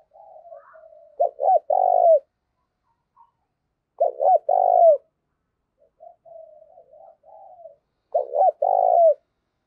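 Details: Spotted dove call to provoke fighting, used as a decoy bird: low coo phrases of two or three hooked notes ending in a longer coo, repeated roughly every four seconds, with soft murmured cooing between phrases.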